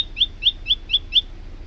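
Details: Male olive-backed tailorbird in full song for tutoring other birds: five quick, sharp, downward-sliding notes about a quarter second apart.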